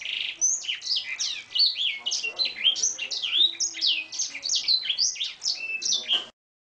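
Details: Oriental magpie-robin delivering a song filled with canary-style phrases, used for training birds: rapid high whistles, downslurred notes and chatters in a steady stream for over six seconds before stopping.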